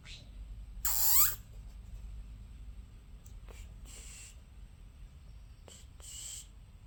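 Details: Pet conure chirp heard indoors: one loud grating screech with a falling edge, then soft scattered chirps over a low background hum.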